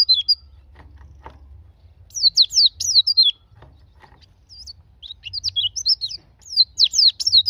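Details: Song of a white-eye, played so that caged white-eyes will start singing: bursts of rapid, high twittering downslurred notes in two phrases separated by a quiet gap, with faint low hum beneath.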